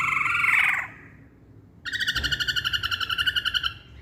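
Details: Masked laughingthrush singing a harsh, rich burst, a short pause, then a buzzy, rapidly pulsed trill of harmonic-laden notes repeated about four times per second, steady in pitch.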